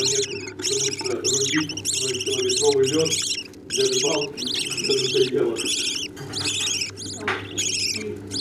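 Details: Budgerigar chicks begging as parents feed them: long stretches of continuous shrill, rasping, wavering calls with brief pauses and lower chattering notes beneath, plus a constant hum.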